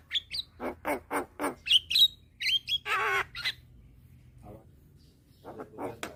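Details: Young white-eyed Javan myna calling to lure hybrid mynas: a quick string of harsh chacking notes and short whistles, a long grating rasp, a pause, then more clipped chatter.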